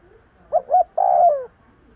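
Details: One clear spotted dove phrase for luring birds, two short soft notes leading into an extended mellow coo that drops in pitch as it fades.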